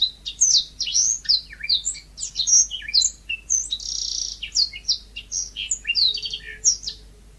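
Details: Yellow-fronted canary, called mozambik, in full natural song: a continuous seven-second stream of quick high chirps, slurred whistles and one sustained buzzy trill in the middle, with no other sounds.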